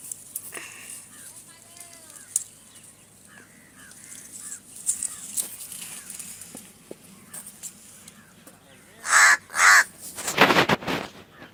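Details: Pet crow, described as a talking crow, kept in Palghar, Maharashtra; after quieter faint voices and chirps, three loud, harsh, raspy caws burst out in quick succession near the end.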